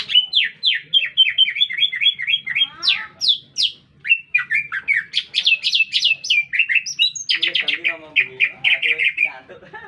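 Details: Lively green leafbird song in a city centre: a quick series of steady whistled notes, then sharp high upswept chips and scratchy buzzy bursts, closing in a rapid rattling trill.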